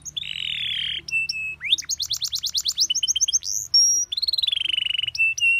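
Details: Master song of a canary for training birds to copy its phrases: a raspy buzzing note, clipped tones, a quick high trill, short chips, and another long buzzy rasp with fast rattling.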